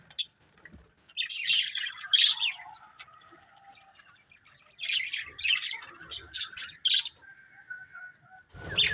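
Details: Several colourful budgerigars kept as a family chirp in two bursts of scratchy, warbled chatter with high squeaks, separated by a quieter stretch with a faint steady tone.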